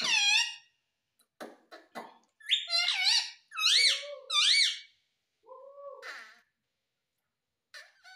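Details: Pet Indian ringneck parakeet talking, said to say "mummy" and "papa": a run of squeaky, nasal, word-like syllables with rising and falling inflections, several loud repeated phrases, then quieter lower notes, indoors.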